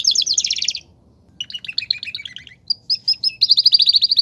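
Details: Belgian canary, campainha song, a fast high trill, a pause, then stuttering double notes and a final quick run of repeated bright notes.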